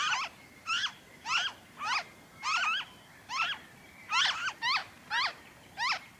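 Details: Noisy friarbird, Philemon corniculatus, recorded in Victoria, Australia, in February 2023: harsh, nasal downward-sliding notes with a hooked, stepped shape, given in a steady series about every half second.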